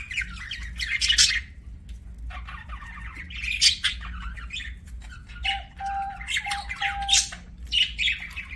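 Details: Budgies chirp and warble in bursts of bright, scratchy chatter, with a short steady whistled tone repeated several times in the middle and a low hum underneath.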